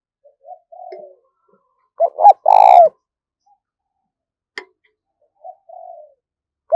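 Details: A spotted dove used to lure wild doves gives a single loud phrase of two quick notes and a long rolling coo, framed by soft, low coos before and after, with one sharp click in the middle.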